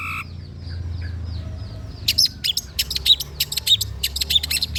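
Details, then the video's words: Long-tailed shrike singing in a recording meant to lure quiet birds into song: two seconds of near silence, then a rapid burst of sharp, high clicking chirps in an uneven stream. "PANCINGAN CENDET SUSAH BUNYII, DIJAMIN GACOR DENGAR SUARA CENDET INI"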